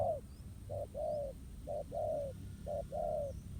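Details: Spotted dove caught up in a contest with a ground decoy in a trap. It gives clear two-part coos, a brief note followed by a drawn-out falling one, repeated rhythmically against low background noise.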